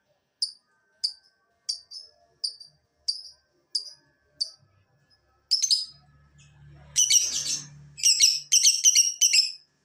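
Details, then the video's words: Lovebird lure to prompt singing: a steady series of short high chirps roughly every two-thirds of a second, then bursts of harsh chattering screeches with faint low hum in the background. "Pancingan Lovebird agar BUNYI, Lakbet malas pun akan NYAUT"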